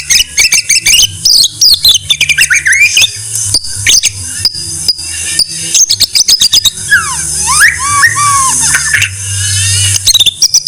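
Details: White-rumped shama singing for a songbird training recording: rapid clicking bursts and looping whistles that slide down and rise again, then quick clipped notes over a steady high hiss.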